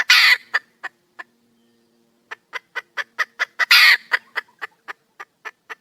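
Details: Female wild junglefowl seeking a male: a loud, rasping squawk, scattered clucks and a pause, then a quickening series of sharp clucks, a second harsh squawk, and more clucks trailing off.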